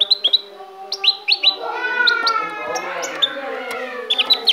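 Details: Pet goldfinch from Ecuador, recorded in 2016, giving bright, high chirps in quick clusters, first at the start and again near the end. In the middle, a lower, sustained tonal sound with stacked harmonics partly covers the bird.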